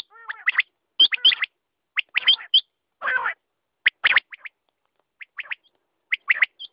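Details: Quail giving clipped, rasping note clusters at irregular gaps, with a brief noisy scraping burst in the middle of the calling.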